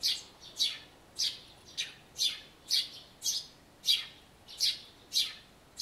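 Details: Eurasian tree sparrow giving its spring chirping near a birdbath used by a bathing white-eye, April 2013; strident, high-pitched chirps, about ten in six seconds, evenly spaced against quiet background.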